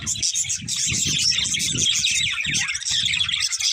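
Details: A pair of pet budgerigars chirping: dense, rapid, high twittering and warbling chatter runs without pause, with soft low thumps and knocks underneath throughout.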